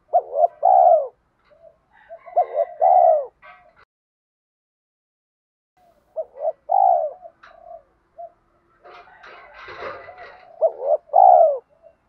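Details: Spotted dove giving three coo phrases, each of quick notes and a drawn-out purred coo, used for training captive young doves and luring wild ones; a brief noisy clatter intrudes between the later phrases.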